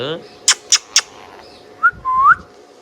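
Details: An Indian ringneck parrot gives three sharp, quick clicks followed by two clear whistles, the second longer and sliding upward, against a quiet background.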